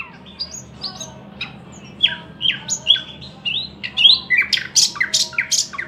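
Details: Thrush nightingale song opening with spaced whistles, then accelerating into loud, varied phrases of swooping notes and tall sharp clicks, ending with a rapid repeated series, over a low hum.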